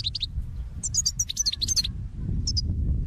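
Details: European goldfinch flock call used for trapping birds; short bursts of high, tinkling twittered notes in quick clusters, separated by pauses, over low background rumble.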